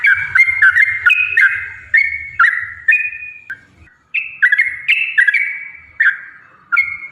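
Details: Yellow-vented bulbul, singing in lively form as a lure to provoke other bulbuls, gives bright, liquid whistled notes in quick phrases, many sliding down in pitch, separated by brief pauses, with faint low thumps beneath.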